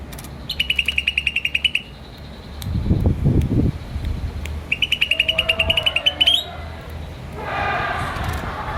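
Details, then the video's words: Two rapid runs of high, evenly spaced chirps from a green starling, the second ending in a rising flourish, with a person speaking briefly between them. "Green Starling Chirping Sound"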